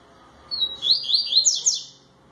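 Yellow-bellied Seedeater giving a quick, high phrase of about six slurred, sweet notes, rising and falling, lasting just over a second against a quiet background.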